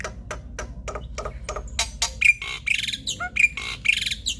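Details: Male black-winged starling singing a full, varied song meant to prompt lazy captive starlings into singing: a string of harsh, broad rasping notes about once a second, then denser squawky phrases with short thin whistles mixed in.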